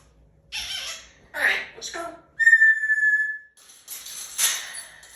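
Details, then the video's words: Pet African grey parrot going through puberty, mating season and the terrible twos, indoors: a few raspy speech-like sounds, then a clear, steady whistle held for about a second, followed by more breathy chatter. "Talking Parrot Asks to be Released"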